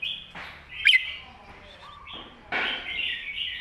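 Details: Red-whiskered bulbul master song for teaching young birds, with short whistled phrases, a loud sharp click near the start, a lower held note in the middle and a stronger whistled phrase at the end.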